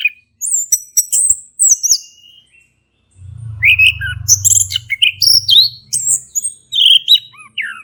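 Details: Orange-headed thrush male singing in ngeplong style as a prompt for a quiet captive thrush: continuous run of bright, high whistled phrases and quick chirps, with a brief low rumble of handling noise midway.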